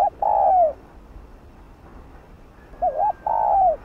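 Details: Spotted dove call used to stir decoy birds into calling: a long falling coo, a pause, then a quick wavering double note followed by another drawn-out descending coo.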